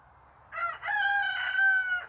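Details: Barnevelder rooster giving a full crow, a clipped first syllable and then a long steady cry that holds its pitch, with faint hum behind.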